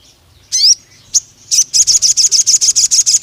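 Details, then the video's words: Pied fantail, known locally as sogon, singing an excited lure phrase: a swept squeal, a single chip, then a brisk string of about a dozen piercing high notes evenly spaced. "PANCINGAN SUARA BURUNG SOGON NEMBAK PANJANG"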